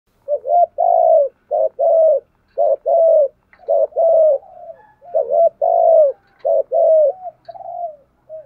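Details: Spotted dove giving a thúc gù style coo meant to provoke wild doves into answering: loud, low hooting notes in short paired bursts with drawn-out coos between, about 55 phrases a minute, irregular spacing, quiet background.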